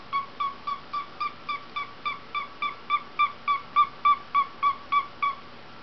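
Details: Pet cockatiel playing inside a hat, making its own sound effects: a steady run of about twenty short, tonal hooting notes with bright overtones, three to four per second, growing slightly louder toward the end, in a quiet indoor room.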